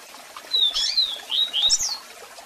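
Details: Double-collared seedeater, a strong song with calls played for song training: a continuous phrase of clear, high whistled notes that slur up and down in quick succession, backed by the steady hiss of a waterfall.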